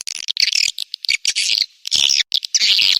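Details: Short, harsh swiftlet chirps in quick bursts, separated by brief pauses, sounding scratchy and high-pitched.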